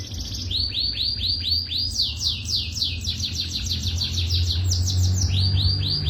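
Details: Song of young canaries: a fast series of repeated, descending, swept whistled notes, about four per second, over a constant low rumble.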